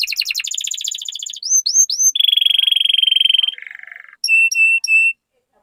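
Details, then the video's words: Singing canary used to stimulate other canaries: fast chattering trill, three rising whistled notes, a long steady buzzy roll, a lower rattling section, then three short clear whistled pips. "Pancingan Burung Kenari Gacor Cuit Cuit Masteran Kenari Paud"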